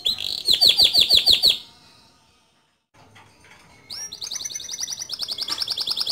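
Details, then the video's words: Gacor male canary song with rolling and high-shooting phrases, meant as a master song for young canaries: a quick run of loud repeated chirps, a short pause, then a long buzzy trill of rapidly pulsing notes. "Suara Kicau Kenari Jantan Gacor Ngerol Nembak Cocok Dijadikan Masteran Kenari Muda"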